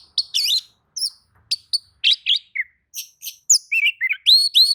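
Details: Oriental magpie-robin singing back to another magpie-robin's song, a rapid lively stream of sharp chips, squeaks and rising whistles, about four notes a second.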